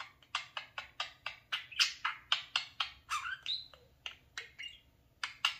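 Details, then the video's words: Talking parakeet, a pet male that loves playing in front of his mirror, chattering indoors: fast harsh squawky clicks and chirps about four per second, broken by short whistled warbles. "Come here, mirror obsession the talking @parakeet"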